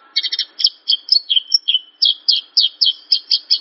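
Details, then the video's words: Javan bush lark giving a quick chirping phrase, then evenly spaced, slurred high notes roughly every quarter second. The song is used to get other larks singing. "Suara burung branjangan/branjangan langsung bunyi denger suara ini"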